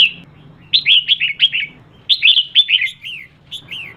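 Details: Red-whiskered bulbul female calling to excite males: two rapid strings of five or six chirpy, downslurred whistles, then a couple of softer single notes near the end.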